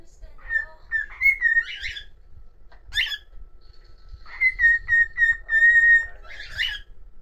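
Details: Pet cockatiel giving a solo whistled tune, with long steady whistled notes, some wavering and some held for about two seconds, broken by short rough, buzzy bursts. Soft low rumbling in the background.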